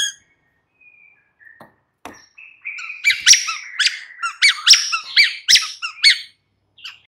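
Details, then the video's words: White-rumped shama singing in the afternoon as a lure for a caged bird: faint sparse notes and clicks give way to a run of sharp, looping whistled phrases with quick upward sweeps, then quiet. "Pancingan MURAI BATU Sore PETANG Otomatis jadikan Murai NYAUT GACOR"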